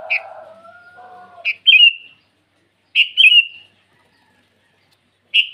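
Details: Sooty-headed bulbul calling rivals in the morning with a few quick bubbly whistled phrases, opening over a drawn-out lower tonal call from another bird, then quiet gaps between phrases.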